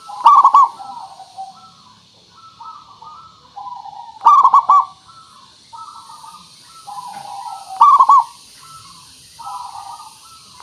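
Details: Zebra dove, a local bird, singing as a lure to make other doves call back: three bursts of quick throaty, rolling coos roughly every three and a half seconds, with gentle soft cooing between them.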